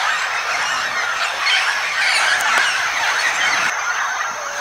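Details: Red-tailed amazons, wild, recorded at the Castro River in Itanhaém, São Paulo, Brazil, on 4 May 2017, as the last of a flock arrive: a dense, continuous chatter of overlapping harsh squawks with a steady high background hiss.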